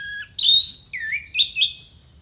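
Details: Orange-headed thrush delivering clear mimicry song for songbird contests: a long loud steady whistle, then a lower dipping slur and two short bright rising notes, with a quiet low rumble behind.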